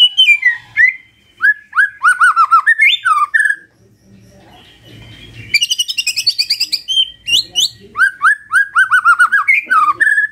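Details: Morning magpie-robin song to prompt a silent bird: descending whistled notes in quick series, a pause with low rumble, then a burst of high rapid chattering notes followed by more repeated falling whistles.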